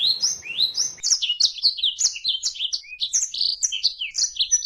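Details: Oriental white-eye song recorded for training other birds: a rapid, continuous high twittering run of sweet chirps and slurred whistled notes, tumbling up and down without pause.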